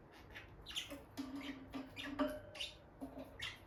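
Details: Peach-faced lovebirds, a bonded caged pair staying close near the nest box where the female goes in and out, giving short harsh chirps and squeaky notes at an uneven pace, with a steady low hum and faint rustling behind.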